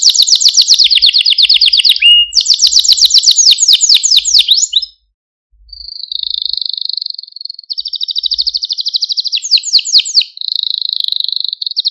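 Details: Canary training song meant to stimulate and excite canaries: fast buzzy trills of repeated high notes, a short pause near five seconds, then smoother warbling rolls and more rapid trilled phrases.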